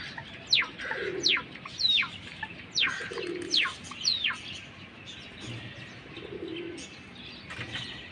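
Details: Java sparrow giving a series of sharp, piercing chips that sweep steeply downward, about six in the first five seconds. Softer chirps follow, with soft low dove coos in the background.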